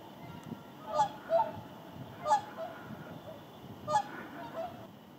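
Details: Flock of whooper swans (Cygnus cygnus) landing to rest in the Indalsälven river delta, Sweden, on migration south: loud bugling honks, two close together then single calls about every second, over a low rumble.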